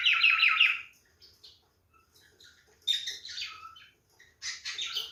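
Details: Male cockatiel giving its mating call: short bursts of bright whistled notes, each a quick run of three or four rapid, wavering pips, with quiet pauses of over a second between bursts.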